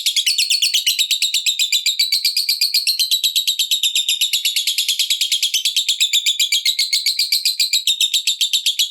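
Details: Lovebird giving the long ngekek chatter meant to provoke rival lovebirds into singing: a continuous, very rapid, high, buzzy series of clipped notes, about four per second, unbroken for nine seconds.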